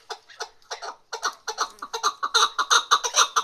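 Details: Female chukar partridge: spaced clucks that quicken into a steady series of stronger chuk notes, about three a second, growing louder toward the end.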